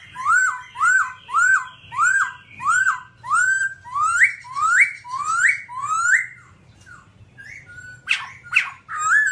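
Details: Babbler song: a rapid series of clear whistled notes, each sliding steeply upward. They repeat about twice a second and grow longer, then give way to softer notes, a few sharp clicks and a last rising whistle. A faint low hum sits underneath.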